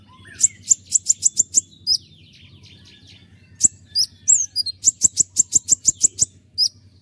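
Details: Common iora (konin) singing sharp, tight-spaced rapid 'shots' used to tutor other songbirds: a fast burst of seven piercing high notes, a pause with soft twitters, then a second even longer rapid burst.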